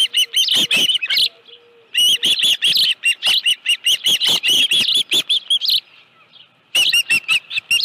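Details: Rapid high chirping from an osprey at its Dunrovin Ranch nest with a live fish, late afternoon on 25 July 2018; piercing whistled notes come in long fast runs with a brief quiet gap before resuming.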